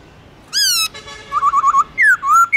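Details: Black-throated laughingthrush in its long, slurred 'forest voice' style, sung to spur newly caught birds into singing: a loud rich whistle, then a quick run of rippling notes and rising-falling slurred whistles.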